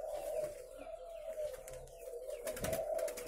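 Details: Captive spotted doves at a breeding farm in Ba Vì, Vietnam, cooing together in a steady overlapping chorus of low hollow coos, with faint clicks and knocks in the background.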